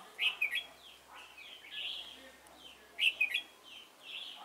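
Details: Red-whiskered bulbul serving as a decoy in bird trapping at Chùa Hương, 28 November 2017: two loud, sharp, whistled-warbled phrases about three seconds apart, with softer chirping from other birds in between.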